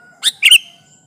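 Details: Vocal sooty-headed bulbul, a trapping lure meant to press rivals, gives a loud harsh chirp followed at once by a second, stronger grating burst, then silence.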